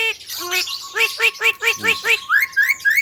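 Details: Tame, talking Javan myna delivers a string of rounded, harmonic, voice-like syllables, about four per second. It ends in several rising whistled sweeps.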